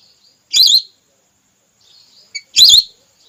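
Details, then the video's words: Female whistling duck call serving as a hunting lure: two piercing, undulating whistles two seconds apart, with a short high note just before the second. "Suara pikat burung belibis merah terbaru/suara betina"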